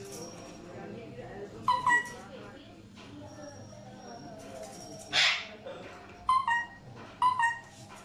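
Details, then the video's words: Alexandrine parakeets giving short clipped calls in quick pairs, plus one loud rasping squawk midway, over a constant low background hum. "Alexander parrots making beautiful sounds."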